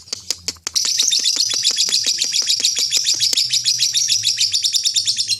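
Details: Long ngekek chatter of a lovebird, the contest style: several sharp clicking notes open, then a sustained high, rattling trill of quick pulses continues to the end, with a low hum underneath.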